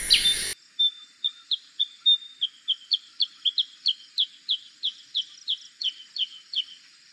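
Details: Black-crested bulbul: a short whistled opening note, then a long, very regular run of bright downslurred notes, around two to three per second, in a quiet setting.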